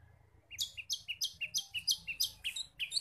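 A Long-tailed Shrike sings a fast, steady run of sharp chirps, each a short clear note sliding into a buzzy high burst, about three per second, over a faint low hum.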